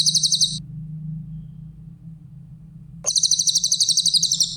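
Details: Grey-headed canary-flycatcher, called cililin, singing clearly in a songbird training recording: the tail of one high rapid trill, a quiet gap of over two seconds with low hum, then a fresh burst of fast shrill notes.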